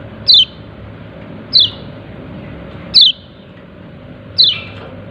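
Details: A yellow-breasted white-eye gives its "ciak ciak" call as four crisp, high descending chips spaced evenly about every second and a half, over a faint constant background hum.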